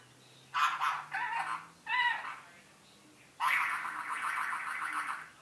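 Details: A pet rainbow lorikeet mimics iPhone ringtones (Boing, Duck, Robot, Sci-Fi): three short, bright tonal bursts, then a long, rapidly pulsing electronic-sounding trill lasting about two seconds.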